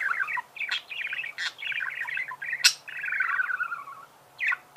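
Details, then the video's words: Budgerigar song: a nearly continuous chatter of warbled chirps and scratchy buzzes with brief sharp clicks, broken by a short pause before a final squawk, faint hum underneath. "пение волнистых попугаев,скрип"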